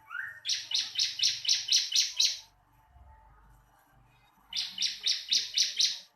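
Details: Bar-winged prinia in a training recording: a rising note leads into eight rhythmic, high, metallic chirps, a pause with a low rumble, then another run of similar chirps.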